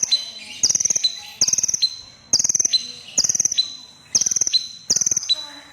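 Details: A crimson sunbird sings steadily, giving bright, rapid, high-pitched trilled bursts with a thin trailing tone, spaced roughly a second apart with brief quiet gaps.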